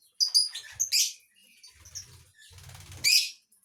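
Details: Lovebird chirping in shrill, high bursts: a quick run of piercing notes early on, a quieter gap with low hum, then one loud harsh burst near the end.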